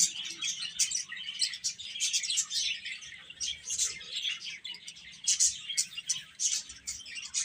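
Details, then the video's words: A group of chicks chirps steadily: many shrill, rapid peeps overlap into an unbroken high chorus, with occasional sharper louder notes standing out. "Cute Chicks Chirping Sounds"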